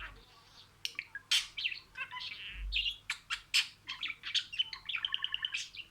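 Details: Word-imitating talk from a pet budgerigar: a quiet start, then sharp chirps and scratchy syllables that build into a fast, tonal, stuttering chatter toward the end.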